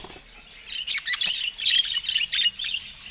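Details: Caged budgerigars attacking a camera: steady, busy warbled chatter of squeaky chirps and buzzy trills with almost no pauses.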